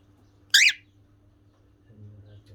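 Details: Pet cockatiel, described as gentle, gives a single short, harsh squawk, then quiet with a low hum in the background.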